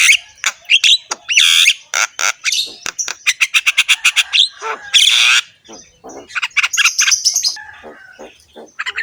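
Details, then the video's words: Rough-voiced Javan myna in full song, the master track for coaxing silent mynas into singing: harsh squawks, then a long run of rapid clicking notes, rasping bursts and high whistles. "BURUNG JALAK KEBO GACOR SUARA KASAR, MANGGUT-MANGGUT FULL ISIAN MEWAH"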